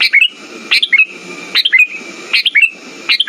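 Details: Sooty-headed bulbul song serving as a lure for birds that have gone quiet: four short, cheerful whistled phrases of tumbling notes, evenly spaced, with an unbroken faint high tone and low hiss in the background.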